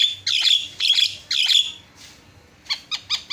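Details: Javan myna in full song for a tutoring recording: three long, harsh, buzzy squawks, a soft breathy note, then four short clicky chips spaced a little apart.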